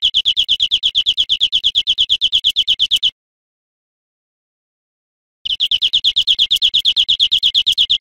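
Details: European greenfinch singing on a cage-bird teaching recording: a steady, rapid high trill of about three seconds, a two-second gap, then the same pulsing trill again.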